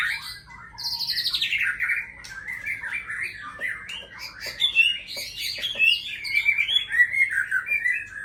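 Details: Caged white-rumped shama of the Aceh type delivering a long, loud song: a high, sweeping downslurred whistle, then a continuous fast warble of varied chattering and mimicking notes with few pauses.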